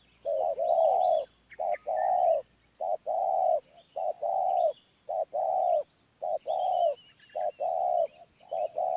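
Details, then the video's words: Spotted dove, wild, in a medium-pitched voice: steady run of loud, low coos, a brief note followed by a drawn-out one, pairs recurring close to once a second. Small birds chirp faintly in the background. "Tekukur Liar // Suara Menengah // Penguku Habis"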